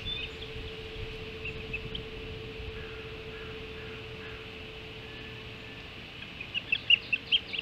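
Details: Osprey at the Hog Island nest at feeding time, early morning of 7 July 2016. A long quiet stretch breaks into a rapid burst of five or six shrill, whistled chirps near the end.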